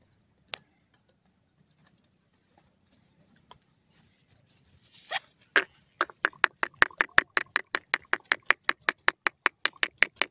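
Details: Grey francolin (Sindhi grey teetar) calling: after about five seconds of near silence with one isolated note, a rapid series of harsh, broadband clicking notes starts, about two and a half per second, steady to the end.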